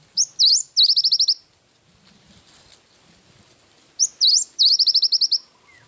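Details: Cinereous tit singing gacor with isian wingko fill-in: two high phrases, each a sharp rising note and a V-shaped slur, then a fast run of clipped repeated notes, with a quiet pause between.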